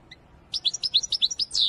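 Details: Wedani-style European goldfinch song: a short, fast twitter of bright alternating high notes, about nine in a row, ending in a longer, drawn-out buzzy note.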